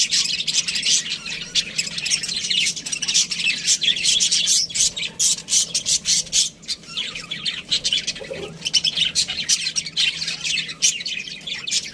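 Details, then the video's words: Parakeets chattering nonstop: layered high chirps, rapid scratchy trills and warbles, loud and dense for the whole stretch with only brief dips. "budgie chirping sounds | parakeet sounds"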